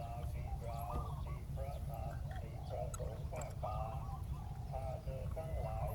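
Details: Ground-set decoy spotted dove and answering doves calling a wild bird down: steady chains of warbling coo phrases, roughly two per second, layered over low-frequency background noise.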